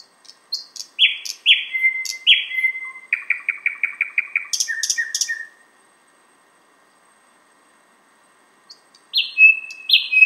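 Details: Thrush nightingale singing outside a window in Finland, far north of its usual range: clear whistled notes sliding down, then a fast run of dry repeated clicks, a sharp burst, a long pause and more whistles.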